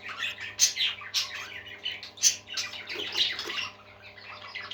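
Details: Budgerigars, parakeets kept as pets, in a warbling chorus: dense chirps and squawky rasping notes overlapping continuously, with brief louder peaks and a steady low hum underneath.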